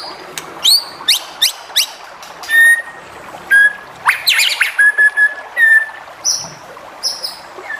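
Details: White-rumped shama song meant to provoke other shamas into singing: sharp upward whistled sweeps, clear level whistles and high trills in quick varied phrases, over a steady hiss of background noise.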